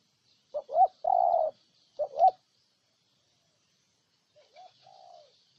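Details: Cooing spotted dove, Ninh Thuận, Vietnam, delivering loud rising double notes and a long husky coo twice in two seconds, followed after a silence by a softer, lower, falling coo sequence.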